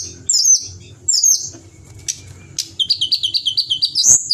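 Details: A pied bushchat sings high, sweet whistled phrases, then a fast run of about a dozen even chirps, several per second, over a faint low hum; background music is also present.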